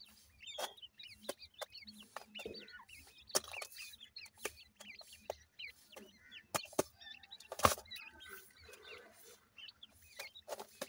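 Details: Several grey francolin chicks calling their mother, thin hooked peeps repeated rapidly and overlapping, softer in places, with sharp clicks and a loud bump midway.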